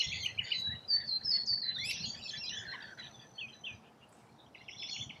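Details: Rainbow lorikeets feeding in Australia: a thin, drawn-out whistle slides into harsh rasping squawks, then scattered shrill chips fade to quieter chatter at the end.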